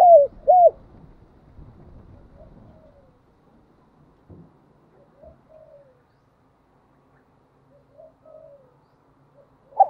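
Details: Captive decoy spotted dove cooing to stimulate newly caught birds: two loud, arched, hooting coos open, followed by softer, drawn-out coo phrases trailing off with pauses, and a final loud note at the end.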